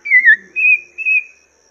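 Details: Chinese hwamei song used as a teaching model for cage birds. Three clear, sustained whistles, the first wavering and dropping, the next two steady and level, each about a third of a second.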